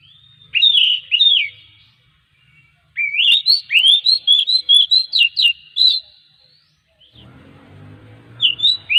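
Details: Oriental magpie-robin song used as a lure to get other magpie-robins singing daily: bursts of loud whistled, slurred notes, some rising and falling, in rapid runs with pauses, plus a faint low rumble near the end.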